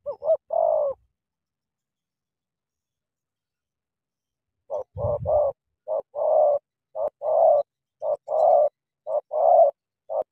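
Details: Spotted dove from Cà Mau, a caged decoy meeting a wild dove. A coo phrase comes first, then several seconds of silence, then a steady run of paired notes, short then long and hoarse, about one per second, with a brief low thump.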